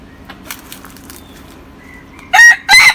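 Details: A native Thai game rooster from Mae Hong Son, nearly a year old and described as a strong crower, lets out two loud, harsh bursts of crowing after a quiet stretch, cut off before the crow finishes; Chicken.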